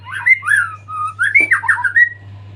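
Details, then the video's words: Post-moult white-rumped shama in active full song: short, mellow, fluted whistles that slur up and down at mid pitch, with brief pauses between phrases, over a faint low hum. "murai gacor full isian pasca mabung"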